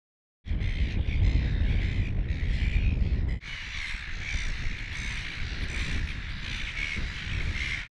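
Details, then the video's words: A nesting colony of Silver Gulls on Mud Islands gives harsh, overlapping squawks and rapid cackles without pause, over heavy low wind rumble. "Silver Gull"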